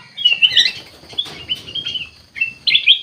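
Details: Kutilang emas (ruby-throated bulbul) singing, gacor style: bright whistled and warbled phrases, the loudest bursts near the start and end of a brief stretch.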